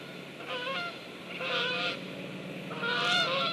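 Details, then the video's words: Geese flying over on 8 September 2013: nasal honks in loose bursts from several birds at a distance, over a steady low hum. "GEESE FLY OVER"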